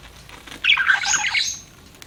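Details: Budgerigar, a pet parakeet, making one short squawky warble lasting under a second, with wavering notes and a harsh high edge.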